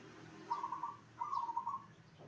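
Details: Zebra dove song meant to prompt other zebra doves to answer: two rolling, trilled coo phrases at mid pitch, the second slightly longer, over a faint low background hum.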